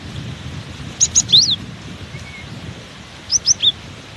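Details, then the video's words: Through strong wind, a cinereous tit sings two brief bursts of four and three high, sharp whistled notes, separated by a pause filled with low wind roar. "Diterpa angin kencang! burung gelatik batu ini tetap gacor"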